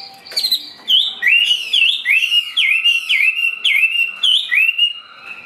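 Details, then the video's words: A captive, partly wild-caught Chinese hwamei sings loud, rich whistled phrases, rising and falling slurs repeated about twice a second, with a faint steady background hum. "HM 438 mộc dở ngũ trường hót là xòe"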